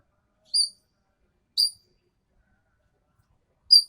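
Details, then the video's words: Green magpie from Sumatra in full voice, giving three short, piercing high notes with ringing overtones, spaced about one and two seconds apart, with no other sounds. "BURUNG EKEK KELING SUMATERA GACORR"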